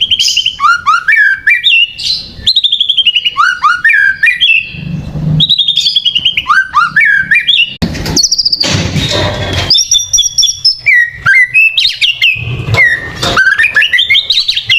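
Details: White-rumped shama song used as a lure to provoke other birds: loud, varied whistled phrases sliding up and down, rapid trills and sharp chattering notes, delivered in quick bursts with short pauses.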